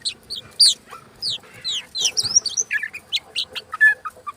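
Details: Oriental magpie-robin singing energetically with tail spread, kept as a lure for lazy birds: fast medley of sweeping whistles, down-slurred notes and chattering, continuous and loud.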